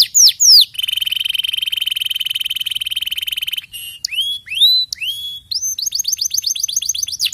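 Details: Canary song in clean, close sound: a few swooping notes open into a long, even, fast trill held for about three seconds, then a string of rising whistled swoops and a rapid rolling series of repeated upslurred notes.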